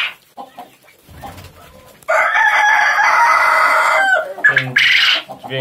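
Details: Male Japanese quail gives a loud, harsh, buzzy crow of about two seconds, then a shorter second call; only males make this call. Quiet speech is heard at the start.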